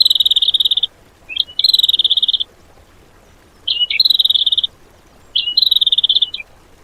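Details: Cage-bird training material in the 'tembakan' style: a songbird gives high, buzzy, rattling trills lasting about a second, each with a short upward flick before it, repeated four times with pauses between.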